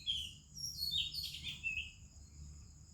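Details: Oriental Magpie-Robin singing in the morning among other birds in India: a soft phrase of clear, varied whistled notes gliding between high and very high pitches, with a low background rumble.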